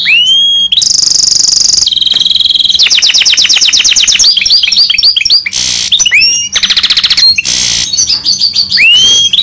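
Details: A goldfinch mule in full rolling song: loud, continuous, with high steady whistles, rapid buzzy trills of repeated notes, rising and falling rolls and upslurred whistled calls, all very close and without pause.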